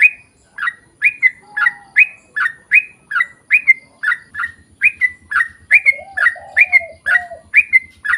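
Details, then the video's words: Sustained sooty-headed bulbul song for luring birds into singing: a long, steady chain of bubbly whistled notes at about two per second, joined midway by lower wavering coos and a faint low buzzing beat. "KICAU SUARA trucukan gacor ROPEL PANJANG pancingan trucukan agar bunyi MENJADIKAN trucuk gacor NYAUT"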